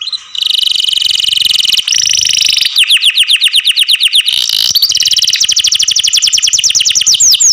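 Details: Loud song of a pet canary, kept in care: buzzy sustained rolls shifting into rapid repeated upward-sweeping whistled notes, with a few sharp trills, continuous and high-pitched.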